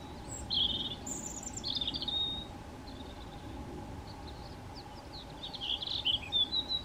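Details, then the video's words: European robin singing on a hiking trail in Meteora, Greece: short high thin phrases, some trilled and some sliding, separated by pauses, over a steady low hum and faint background noise. "The cheerful and melodic chirps of a European Robin"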